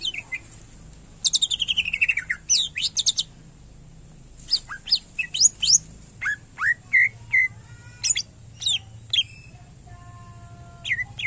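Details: Greater green leafbird (cucak ijo) in full song: a rapid rattling burst of high chips, then varied descending whistles and clipped notes, with a faint low hum and a constant high hiss.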